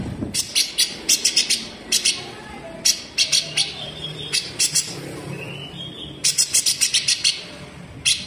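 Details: Black-headed bulbul song recorded as a fast training model for cage birds, meant for songbirds to copy: rough, sharp, high chirping phrases in quick bursts of repeated notes, a brief rising whistle near the middle, faint background chatter.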